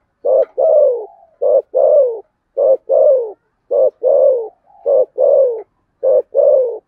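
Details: Spotted dove in rhythmic contest cooing, "thổ sấm" style. Six regular phrases each have a short hoot and then a rounded, downward-sliding coo. They repeat at an even pace in a clean, quiet setting.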